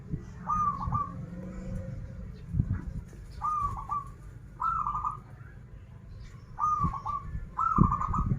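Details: Local zebra dove from Banten singing 'krital' and 'warung kebek' styles: five brisk rolling coo phrases in two bursts, set against noticeable low rumbling and knocking background noise.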